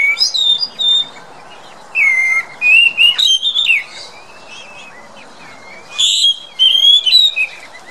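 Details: Chestnut-backed thrush (Geokichla dohertyi), call.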